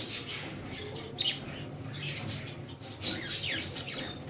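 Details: Budgerigars kept as pets in Lahore, Pakistan, named there as Australian parrots, produce scratchy warbling chatter with sharp, high squeaks and quick down-slurred notes, loudest toward the end.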